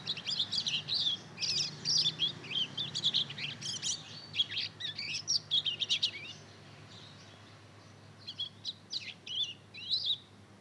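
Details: Juvenile mozken, bred from Mozambique canary and canary, two months old and practising song: about six seconds of busy, high twittering and chirped phrases, a quiet stretch, then a few scattered thin notes.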